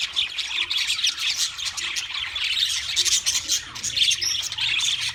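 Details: Wild budgerigars chirping: a dense, continuous chatter of high, scratchy chirps and short warbled notes from several birds overlapping throughout, with no pauses and little other sound.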